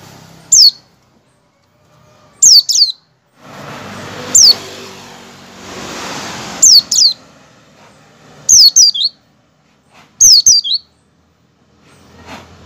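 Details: , Indonesian white-eye in the 'ngecal-ngecal' calling style, used as a lure to make white-eyes open their beaks and sing. Thin, high, sharply falling chirps in short clusters of one to three, roughly every two seconds, with a passing vehicle's rumble midway.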